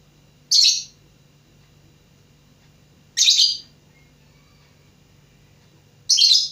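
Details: Young lovebird learning to sing: three short, harsh, squeaky chirps, each about half a second long and spaced nearly three seconds apart, in a quiet indoor room with a faint low hum.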